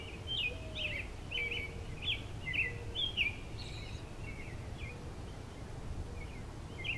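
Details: American robin singing from a pine tree branch: short, clear caroling phrases, about two a second, rising and falling. Faint low whistles and a steady low rumble sit beneath.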